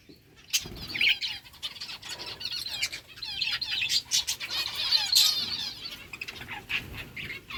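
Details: Flock of budgerigars giving continuous chirping chatter, many overlapping warbled and squeaky notes, with wing flutters and a sudden onset after a brief quiet start.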